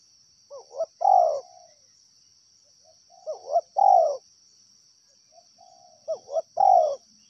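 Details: Repeated cooing from a wild spotted dove, three phrases each made of two clipped notes and a drawn-out falling coo, spaced roughly every two and a half seconds. A constant thin high hum runs underneath.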